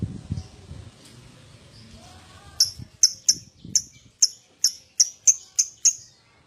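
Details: Lovebird calls used as a prompt recording to get other lovebirds singing: after low rustling, a series of about ten sharp high chips, spaced roughly every half second.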